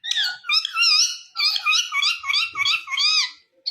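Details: Indian ringneck parakeet talking: a continuous flow of wavering, harmonic, speech-like syllables, about two per second, in a nasal, slightly harsh voice.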